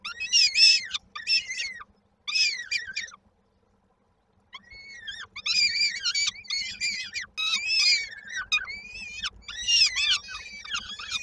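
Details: Peregrine falcon nestlings at Koszalin, Poland, 19 May 2022, beg as they await their mother with dinner: grating screams in bursts, a silent pause near the middle, then a long overlapping chorus.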